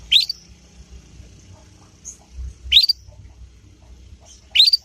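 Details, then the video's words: Young canary (kenari paud) of Yorkshire type learning the 'ngriwik' sound, used as a lure song to get other canaries to respond and learn quickly; short rising high chirps repeated about every two seconds, soft low background hum. "Kenari Manapun Pasti Nyaut dengan pancingan masteran kenari paud ini"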